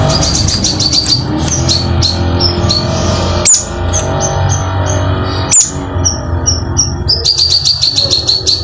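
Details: Crimson sunbird song: series of high, thin, down-slurred notes repeated rapidly in short runs, broken by two sharp clicks, over a steady low background hum.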